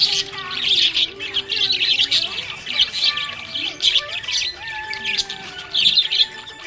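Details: Happy budgerigar warbling in rolling phrases of high twitters and buzzy notes with short pauses, soft music tones audible behind.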